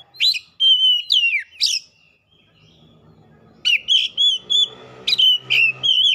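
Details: Oriental magpie-robin singing hard and excited, bringing out its isian: loud whistled phrases with sharp downslurs, a quiet gap with faint low hum, then rapid repeated bright whistles.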